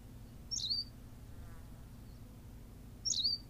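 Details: Two thin, high, down-slurred chirps about two and a half seconds apart from a Berthelot's pipit on La Gomera, Canary Islands, with soft low-frequency background noise.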